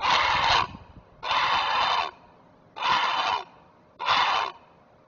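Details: Great blue heron adult alerting while shielding its offspring at a Chesapeake nest: four grating, raspy squawks spaced about a second apart, each cut off abruptly.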